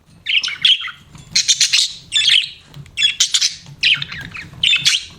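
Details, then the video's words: Pet budgerigars in lively chirping chatter, dense harsh squawks and warbled notes packed closely together in repeated bursts, over a faint low hum. "BUDGIES CHIRPING SOUND"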